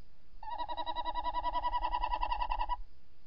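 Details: Female tawny owl calling from the nest entrance hole, picked up by a nest camera before dawn on 28 December 2018; a rapid, nasal, evenly pulsed trill lasting just over two seconds, with steady pitch and rich overtones, in a quiet setting.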